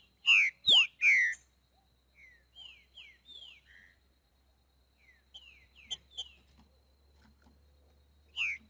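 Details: Boiadeiro-style song of a green-winged saltator in the wild: three loud, rich whistled notes opening the phrase, then soft downslurred whistles and scattered chips, and one more loud whistle near the end.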